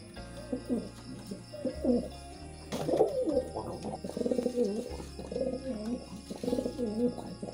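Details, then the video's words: Pigeons calling during mating, a series of low throaty coos around 200 to 600 in pitch, rising and falling in waves, roughly one burst per second, over a steady low hum and faint background noise. "Pigeon Sound Effect || Pigeon Mating"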